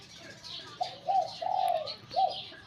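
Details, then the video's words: Spotted dove kept at home and trained for singing competition: soft, low cooing notes in a short phrase, a longer drawn-out coo in the middle, with faint chirps of other birds above. "นกเขาใหญ่ต่อดิน นกเขาใหญ่ เสียงนกเขาใหญ่"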